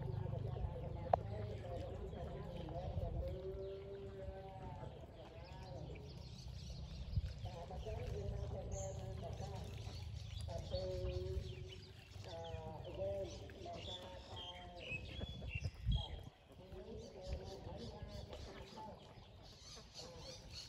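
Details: Flock of domestic ducks giving bouts of harsh, nasal quacking, several overlapping callers in bursts separated by short pauses across twenty seconds, over constant low background rumble and occasional knocks.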